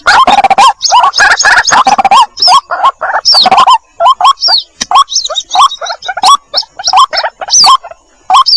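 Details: Chick of the White-breasted waterhen calling to its mother, heard on a lure track: scratchy, nasal calls with curled rising-falling notes, dense at first, then thinner and more spaced with brief silences between short bursts.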